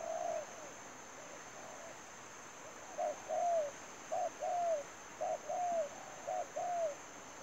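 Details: Spotted dove used as a decoy for trapping, giving a series of cooing phrases: short clipped notes followed by a longer falling coo, repeated about every second, over a steady high-pitched whine.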